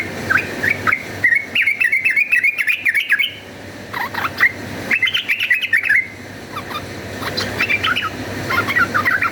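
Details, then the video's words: Chattering fighting song of a yellow-vented bulbul, used as a lure: dense fast bursts of scratchy jumbled notes in several bouts separated by brief pauses, over a steady low hum. "cuk cuk uplik uplik ! trucukan gacor ropel tarung"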